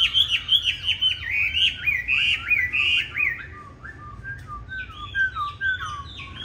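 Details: Green-bean-eye Chinese hwamei in fighting song, used to train others to sing smooth and unharsh: a fast string of looping high warbles, a brief pause, then clipped whistled notes and upswept slurs.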